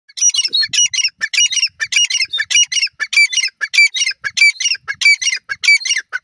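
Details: Grey francolin breeding pair, birds eight years old, kept in a breeding setup, calling: loud, harsh, rhythmic ringing phrases repeated about every half second, roughly ten in a row with no other sounds.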